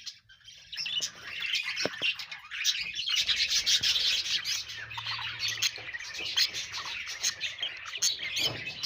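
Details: Steady chirping from several budgerigars: a continuous busy warble of squeaky, tweeting notes with little pause.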